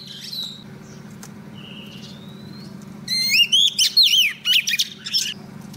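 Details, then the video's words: Female Oriental magpie-robin used as a lure, singing to call in a male for trapping: a faint thin whistle early, then after three seconds a bright rush of looping, warbled whistles and sharp chirps, with a background hum. "Choè than mái mồi hót gọi trống cực hay"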